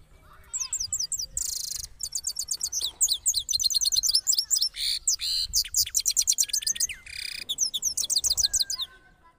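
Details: Cross goldfinch after moulting, from Parachinar, delivering long rolling songs: continuous high twittering with rapid chirp trills, harsh buzzy bursts and scattered whistled slides, barely pausing for nine seconds.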